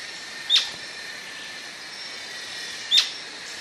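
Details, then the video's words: Atlantic royal flycatcher uttering two sharp, very short high notes about two and a half seconds apart, over a steady hissing backdrop. "Canto da MARIA-LEQUE-DO-SUDESTE"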